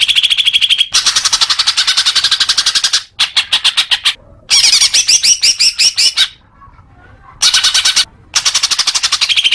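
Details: Greater green leafbird, used to get caged birds singing, delivering bursts of rapid repeated notes: a whistled opening, long fast rattles and a phrase of chattering upslurred notes, with short silent gaps between.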